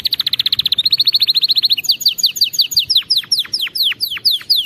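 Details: Canary song meant for teaching canaries proper singing: a long, fast, steady rolling trill, then a series of sharp descending whistled sweeps repeated about three per second.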